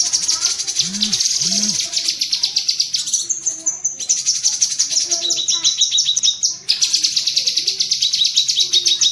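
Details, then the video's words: Masteran recording of cucak kinoi bulbul rapid cerecetan chatter for pet songbirds: steady shrill rattling chips broken by two short gaps, with a couple of faint lower curved notes early on. "Masteran tembakan burung cucak kinoi"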